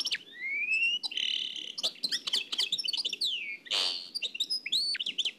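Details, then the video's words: Nightingale song from Oued El Alleug, transferred from an old cassette: a long rising whistle, then a rich run of varied high notes, clicks, a loud buzzy burst and sharp rising whistles. "تغريد واد العلايق نقلته عن كاسيت قديم بصحتكم خاوتي معمر روسينيول"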